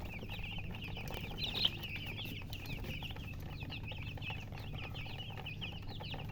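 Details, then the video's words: Just-born chicken chicks chirping loudly in a dense chorus of high peeps, one sharp louder note early on, the calls running on continuously over a faint low hum. "Tot Murgi chicks chirping sounds Just Born Baby Gallina FRACAS Chicks Piar Loudly Sound"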